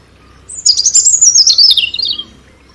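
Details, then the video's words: European robin song delivered as one sweet, tumbling phrase that starts very high and slides downward through rapid warbling notes, loud and clean with nothing else audible. "Relaxing Birdsong European Robin"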